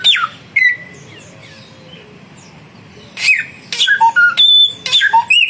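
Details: Samyong birds, a young one and a mature one, singing actively in a duel; after near-quiet, loud sharp whistled notes and short squawky phrases burst out in the last two seconds, some notes held steady and high.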